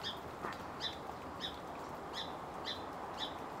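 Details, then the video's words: Song Sparrow alarming near a Western Screech Owl tucked in a spruce amid salmonberry thicket: short sharp high chip notes repeated about every half second, six in a row, over steady low background noise. "Western Screech Owl checking me out while a Song Sparrow alarms nearby."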